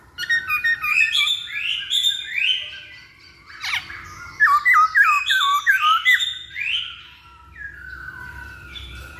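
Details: Masked laughingthrush song played as a lure to prompt other birds to sing: a dense run of harsh, squawky, ringing phrases with rapid slurred notes, a short lull, then a louder burst of quick, jerky whistles.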